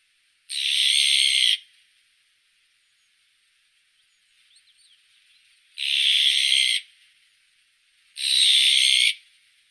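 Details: Three grating, noisy rasps from an azure-winged magpie, separated by long pauses, with soft chirps faintly audible in the gap.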